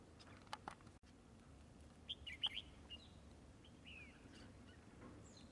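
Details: Red-whiskered bulbul during bulbul trapping, continually fanning and displaying: a few short, bright chirped notes, then a slurred whistle, over a steady low background hiss and rustling.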